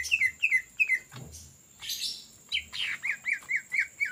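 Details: Greater green leafbird giving ngetrok song for use as a lure: a few clear downslurred whistles, a brief noisy rustle, then a rhythmic series of looping whistled notes repeated about every quarter second.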